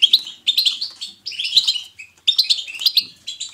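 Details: Lively twittering song of a European goldfinch, used to spur other goldfinches into song. Rapid clusters of high, liquid chirps and buzzy rolls come in four bursts with short silent gaps between them.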